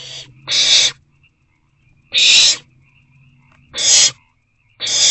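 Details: Owlets in a nest box around 8:35 pm on 22 April 2024, with food arriving. Loud rasping hiss-screeches come in bursts a second or more apart. A faint low hum sits between them.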